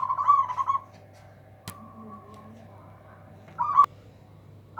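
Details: Local zebra dove, said to have a voice big enough to leave rivals powerless, gives a trilled coo phrase, then after a sharp click a brief clipped coo and a cut-off start, with low hum throughout.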